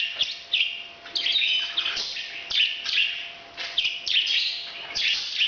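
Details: Parrot calling while breeding: harsh, chattering squawks delivered in bursts about once a second, fairly continuous, with a faint hum beneath.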